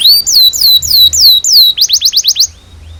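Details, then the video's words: Canary song used as tutor material for young canaries, long chattering song with 'cuit cuit' phrases: a rising whistle, a string of high descending whistled notes, then a quick run of short rising notes that stops abruptly. "PANCINGAN Kenari GACOR PANJANG Cuit CUIT EMOSI ini AMPUH utk MASTERAN Kenari PAUD belajar BUNYI"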